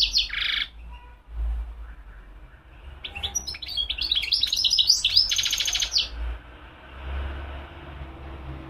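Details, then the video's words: A buzzy burst opens this European goldfinch song. After a pause comes a lively run of high twittering and tinkling notes ending in a harsh, rattling buzz, followed by faint background noise. "تغريد الحسون مقنين"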